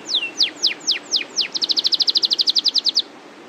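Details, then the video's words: Canary giving a long, clear rolling song: six loud downward-slurred whistles, then a quick steady trill of short high notes for about a second and a half. "SUARA KENARI LOPER NGEROL PANJANG GACOR TERBAIK !"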